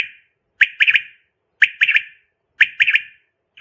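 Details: Calls of a female quail, played to attract quail for trapping: three evenly spaced triplets of sharp, slightly rasping notes, one group about every second, with silence between.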